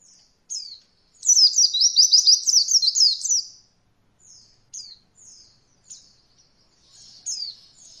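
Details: Training song of an Oriental white-eye, meant for novice birds to learn roll voll: a dense, fast rolling trill of high chirps lasting over two seconds, then scattered thin descending tweets.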